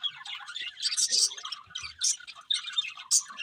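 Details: Budgerigars chirp while eating, quieter bursts of high twittering notes separated by short gaps, with faint low rustling.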